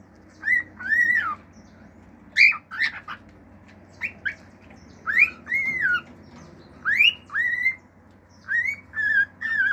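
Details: Male cockatiel kept at home singing natural calls: repeated paired arched whistles rising and falling, interspersed with short sharp chirps, over a low hum.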